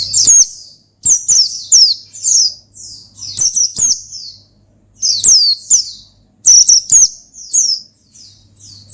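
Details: Pleci, the Oriental white-eye, singing a gacor ngalas song used to summon and excite a rival: bursts of sharp, high, falling chirps in quick clusters, separated by brief pauses, over a faint low hum.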